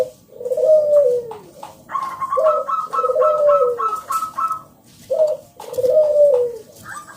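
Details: Local zebra dove singing loudly, used to lure other doves into calling: soft cooing phrases of low, slightly descending notes, with a run of quicker higher stuttering coos in between, repeated several times.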